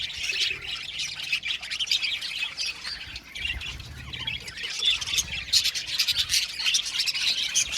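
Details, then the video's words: Budgerigar flock chirping nonstop: overlapping high squawks, twitters and warbled notes form a busy wall of sound that swells again near the end. "Beautiful budgies singing sound | budgies chirping sound"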